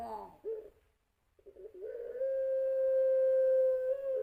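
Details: Collared dove, a competition-line bird, giving a long cooing song used to prompt other doves to sing: short low coos, a pause, then one long, steady, pure coo held for over two seconds.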